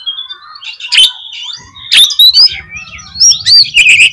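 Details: Oriental magpie-robin singing to rouse rival magpie-robins, giving varied whistled phrases broken by sharp harsh bursts, with a low hum in the background.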